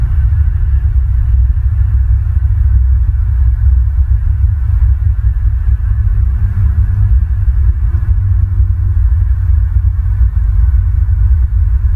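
Steady low rumble and hum, like wind or machinery, fills the recording with no animal calls heard.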